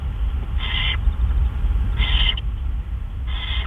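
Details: Owls at a nest on the evening of March 31, 2013, as a gopher and then a mouse are brought in as prey. Three harsh, hissing screeches come about 1.4 seconds apart over a steady low rumble.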